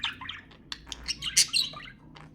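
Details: Budgerigars calling to stimulate mating: a short run of scratchy warbles and bright chirps, with a loud sharp squawk near the middle.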